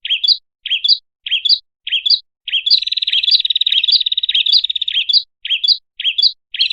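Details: ['Prinia lure sound for attracting birds: evenly spaced, bright, rising chirps, then a sustained rapid trill lasting about two and a half seconds, before the single chirps return.']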